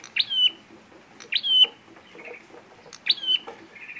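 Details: Red prinia (prenjak merah) fighting call, used as a lure for trapping: three sharp chirps, each a quick upward note followed by a level whistled tone, repeated about every one and a half seconds, with softer buzzy trills between them.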